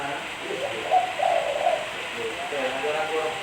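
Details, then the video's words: Spotted dove singing, recorded for use as a lure: low, mellow cooing phrases with a pulsing, wavering quality, one main burst in the middle, faint background hiss throughout. "Suara Burung Tekukur Bersih-Suara Burung Tekukur Buat Pancingan"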